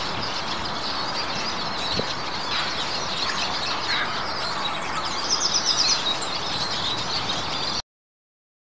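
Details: A flock of Eurasian siskins settles in winter trees to feed on seeds on a frost-cold day. Dense, continuous twittering and crackling chatter fills the air, with a brief buzzy trill near the end before the sound cuts off.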